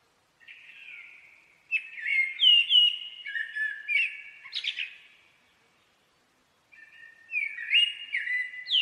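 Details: A blackbird gives a soft opening note, then a run of loud, fluty whistled notes rising and falling. It pauses for over a second before starting another flowing melodic phrase.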